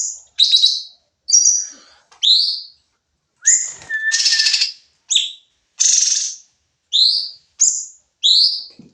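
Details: Sooty-headed bulbul in a training recording of 'nembak' song: short sharply upslurred and downslurred chirps in quick succession, mixed with harsh buzzy bursts and one steady lower whistle.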